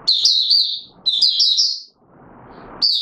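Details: Oriental white-eye (Mata Puteh Raja) singing in courtship mode, recorded 25 January 2022 after sleeping late: two rapid, high twittering phrases of about a second each, slurred warbles packed together, then a pause before a third phrase begins.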